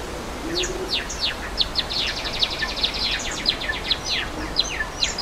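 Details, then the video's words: Java sparrows in the wild by a waterfall, giving a busy flurry of short, high, downward-slurred chirps that overlap continuously, over a steady rushing background of falling water. "Suara Air Terjun dan Burung Gelatik di Alam"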